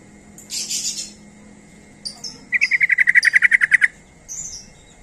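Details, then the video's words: Sooty-headed bulbul calling to lure other bulbuls: scattered harsh buzzy bursts, then a fast rattling series of about fourteen bright notes, slightly falling, followed by another buzzy note. "Trucuk Apapun Pasti Langsung Nyaut Dengar Suara Panggilan Trucuk Gacor ini"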